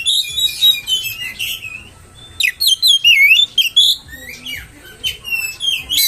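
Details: Oriental magpie-robin lure song played to excite other magpie-robins: dense chattering phrases, a brief lull, then a long run of varied whistles, slurs and harsh notes.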